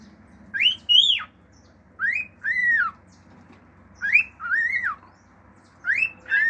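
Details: Male pet cockatiel singing: paired clear whistles, each first rising then an arched rise-and-fall, repeated in three groups about every two seconds, like a wolf whistle, against soft background hum.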